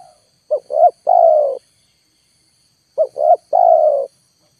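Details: Luring wild birds at full volume without success, a spotted dove call repeats its phrase twice: quick rising note, second rising note, then a long falling coo, with a steady faint high whine throughout.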